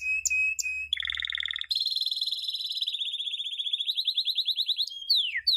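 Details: Canary training song for young birds: high pips over a steady tone, a low rattling roll, then a long slightly falling rapid trill and quick descending sweeps.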